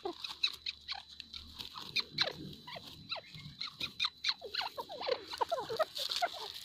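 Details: A breeding pair of grey francolins gives a rapid, overlapping run of squeaky, sharply falling chirps, several each second, over a faint steady hiss.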